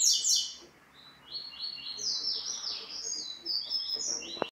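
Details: Double-collared seedeater singing a high, rapid, continuous run of slurred whistled notes. Quick downward sweeps open the song, then short level and buzzy phrases repeat for about four and a half seconds over a faint low background hum.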